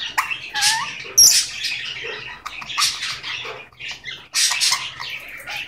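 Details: A male talking Goldie's lorikeet chatters in harsh, raspy bursts broken by short rising whistles, with a few speech-like phrases over about six seconds; he is known to say "give me a kiss".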